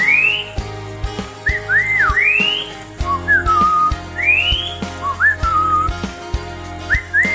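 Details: Captive lory, said to mimic words and laughter, gives clear, tuneful whistles that swoop up and down, about one phrase every two seconds, over a steady low indoor hum and a few clicks.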